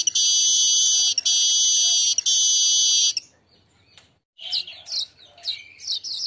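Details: Asian golden weaver song at midday, used as a tutor recording for other birds: three loud, sustained sizzling buzzes in steady succession, a pause, then a run of sharp, rising chattering notes.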